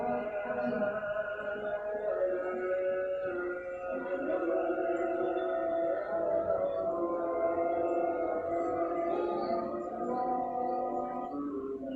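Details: Steady, sustained musical tones with layered harmonics play throughout, with no clear animal calls.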